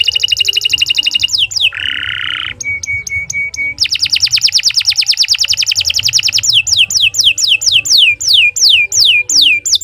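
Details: Singing canary, a long, nonstop performer used as a tutor for other birds: rapid rolling trills, a buzzy rattle, a row of steady piping notes, then repeated descending slurred whistles, with low background hum.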